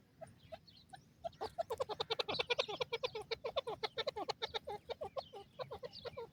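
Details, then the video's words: Francolin, called jungle teetar, a bird said to live in dense forest, calling: a rapid, loud run of harsh, clipped notes repeated about two or three per second, building after a few spaced opening notes and continuing steadily. "Jungli Teetar Ki Awaaz | Lover Bird Francolin Voice Calling"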